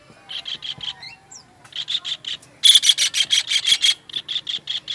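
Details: Master recording of a kingfisher for songbird training: clipped rasping notes in quick bursts, a couple of brief sliding whistles, then a louder steady run of harsh notes about three per second.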